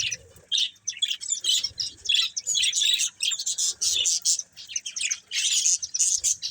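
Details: Two budgerigars, a breeding pair, keeping up continuous high, scratchy chatter of rapid chirps and squeaks in short runs with brief gaps.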